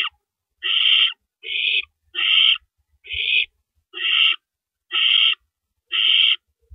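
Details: Owl at a nest during the night of April 4, 2012, with adults bringing rabbits. Seven or eight raspy, hissing shrieks sound steadily about once a second, each short and noisy, with light knocks in between.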